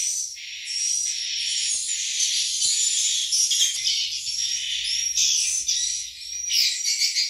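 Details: A dense colony chorus of breeding-season swiftlets in a swiftlet house with nests holding eggs and chicks: continuous high, hissy twittering and chirps with sharp whistled notes overlapping throughout.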